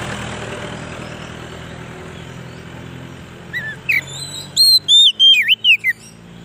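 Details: Lure song of a White-rumped shama for wild shamas: after background rumble, a burst of loud whistled notes begins, several swooping down then up in a rapid string.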